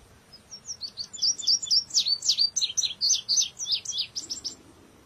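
An indigo bunting gives a fast run of high, thin chirps and sharp downslurred notes, about four per second, over faint low background noise.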